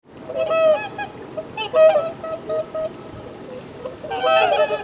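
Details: Swans giving nasal, trumpeting honks in several bursts, with a rich layered tone. Overlapping calls build toward the end against steady outdoor noise.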